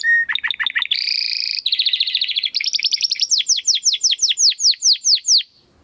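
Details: Canary, domestic, singing energetically in the crystal-voice style prized for training competition birds: quick dipping notes, a buzzy roll, a rapid chatter, then evenly spaced sweeping notes that slow toward the end.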